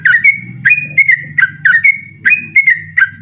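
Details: Yellow-vented bulbul delivering rapid 'ropel' song at night, recorded to tutor other birds. Short liquid whistled phrases dip then rise, repeated in quick succession over a low murmuring background.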